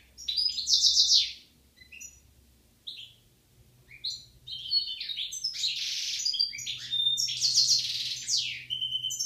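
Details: European goldfinch pair in Algeria, 2016: high tinkling song of rapid twittered phrases, buzzy trills and clipped whistles, delivered in dense bursts with a brief pause before a longer rush of chattering notes; faint low hum underneath.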